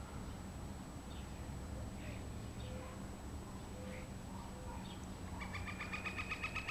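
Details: A woodpecker drums a rapid, even "brrrr" roll about a second long near the end, on a satellite dish on a house's corner roof in the morning, heard for a month; steady traffic rumble, faint bird chirps.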